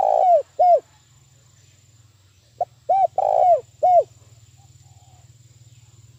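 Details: Decoy spotted dove giving the very fast, strong 'thúc bổi' lure call used in trapping: rounded, descending low coos in quick phrases, a clipped opener then three coos, over a constant faint low hum.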